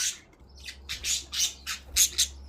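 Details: Budgerigars in the morning give harsh, scratchy squawks in quick bursts over a low indoor hum.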